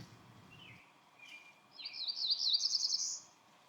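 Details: A Cerulean Warbler perched very high in a sunlit tree near a trail in Shenandoah National Park, Blue Ridge Mountains, sings a few soft buzzy notes, then a rising, rapid, high buzzy trill about 1.5 seconds long; faint low rumble at the start.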